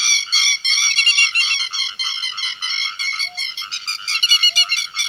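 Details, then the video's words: Grey-headed lapwing flock call: continuous grating, harmonic chatter with fast pulsed notes and few gaps, growing more staccato in the last second, with two faint short whistles beneath. "Tiếng Chim Te Vàng Gọi Bầy"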